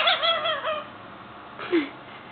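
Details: A five-month-old male Indian ringneck parakeet, a pet starting to talk, gives a few harmonic, wavering whistled notes, then a short rising chirp after a pause, indoors.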